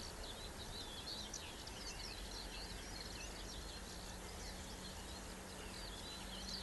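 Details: Eurasian reed warbler on 7 July 2012, keeping up a steady, scratchy chatter of quick high notes, set against constant hiss and a low background hum.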